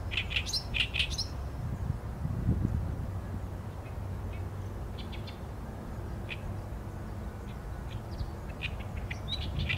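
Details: Oriental reed warbler singing, filmed with a Sony A7M3 camera: a burst of harsh, stacked chattering notes in the first second, then sparse scattered chirps over a steady low rumble.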